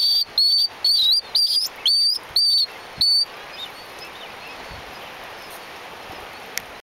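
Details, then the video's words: Galapagos mockingbird on Genovesa, Galapagos: a series of seven clear, high whistled phrases repeated about every half second, each slightly rising or wavering, then stopping and leaving quiet background hiss. "Galapagos mockingbird singing its heart out"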